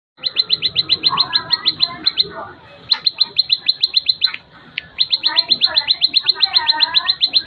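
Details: Plain prinia giving a clean tutor song: fast run of sharp, high clicking notes, about four per second, broken by two brief pauses; faint lower chatter of other birds underneath.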